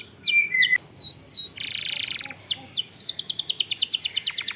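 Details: Canary song to provoke singing: descending whistled slurs, a dense buzzy roll, then a quick run of high repeated notes.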